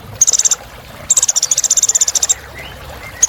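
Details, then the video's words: High, rapid buzzy trills of a sunbird (Indonesian 'kolibri ninja'), kept as a rich filler song, two fast pulsed bursts followed by a couple of thin rising chirps. "Suara Kolibri Ninja Isian Mewah Bikin Burung Semangat"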